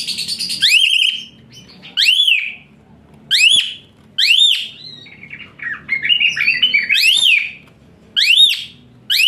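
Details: Shrill tutor song of an Asian pied starling, high rough shots: loud arched whistles that rise then drop, spaced by one to two seconds, with a scratchy chattering phrase midway.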